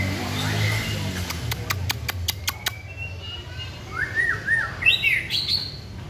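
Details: Caged white-rumped shama during singing practice: a burst of sharp clicks first, then a few short looping whistled phrases rising and falling, over low steady hum.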